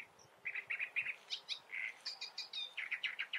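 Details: Great reed warbler singing: loud, harsh, grating notes repeated in quick pairs and triplets, shifting to higher squeaky notes and back to lower croaking phrases, roughly four notes per second, with a quiet natural background.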